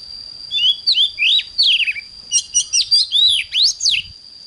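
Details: Oriental magpie-robin in morning song, delivering clear swooping whistles and short buzzy notes in two phrases separated by a brief pause, with a constant thin high tone in the background.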